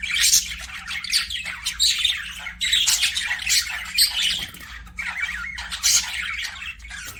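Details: Budgerigars, pet parakeets in an aviary, trade scratchy squawks and warbling chirps in irregular bursts with short pauses between, over a quiet background hum.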